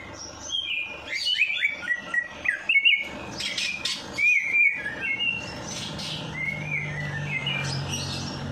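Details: Bird singing after its night bath, intended to spur a lazy bird to sing; chattering whistles and slurred phrases in bursts, with scratchy high notes and a soft low hum later.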